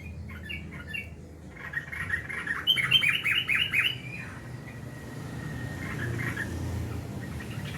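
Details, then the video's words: Sooty-headed bulbul singing: scattered chirps, then a fast bout of about six bright, bubbling notes in under two seconds, followed by a thin sustained whistle and a few softer chirps over a steady low rumble. "Burung trucukan garuda"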